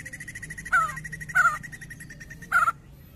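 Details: White-crested laughingthrush calling as a lure in ngetem style: three loud, rough downslurred calls about a second apart over a faint, steadily pulsing tone.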